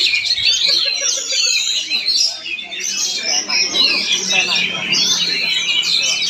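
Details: Oriental magpie-robin performing in Palangkaraya, Central Kalimantan, Indonesia: a dense, continuous stream of high whistled and scratchy phrases with rapid rising and falling notes, overlapping other birdsong, with faint voices in the background.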